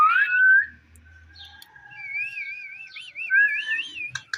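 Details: A ringneck parrot whistles: a rising note leads into a long steady tone, then a fast wavering, warbling whistle, ending with a few clipped chirps.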